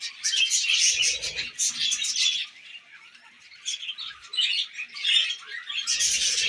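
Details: Tame pet budgerigars eating millet: busy high warbling chatter that eases into quieter twitters midway, then swells again into loud, scratchy chirping, with brief low rustles.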